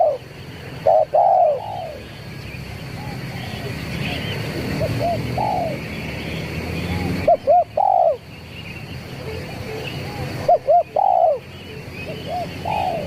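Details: Zebra dove lure call in the 'kuk 3' training style: loud phrases of two short hooting notes followed by a longer drawn coo, repeated several times, with fainter distant cooing between them over a steady low hum.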